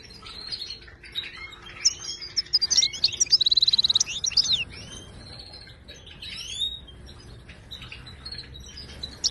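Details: Singing Moroccan goldfinch, wild type, wydani style, meant for teaching caged goldfinches: liquid twitters and upswept whistles build to a rapid metallic trill, then a pause and further scattered sliding notes over a quiet hiss.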